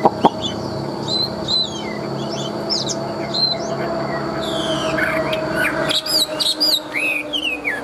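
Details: Tame Chinese hwamei kept caged in Vietnam, a large-bodied bird praised for loud singing and fighting: a varied string of rich whistles, sliding and warbled phrases, growing busier and higher toward the end.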